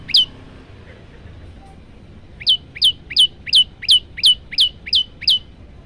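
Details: After a single note and a pause, a male olive-backed tailorbird launches into nine crisp, high, downward-sweeping chips at a steady quick rhythm. Phone recording meant for training other tailorbirds.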